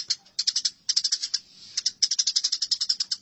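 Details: Fighting house sparrows: quick clusters of shrill chirps, a thin sustained squeal in the middle, then an unbroken rattling series to the end.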